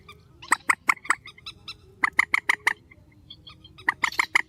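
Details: Strong night calling of a grey-headed swamphen: three series of loud, nasal, clucking honks, each of about four to six quick notes, with softer notes between series.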